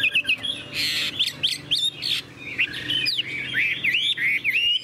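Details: Chinese hwamei, a tame cage bird, sings a mix of harsh, buzzy bursts and clear swooping whistles in short irregular phrases, over a faint steady room hum.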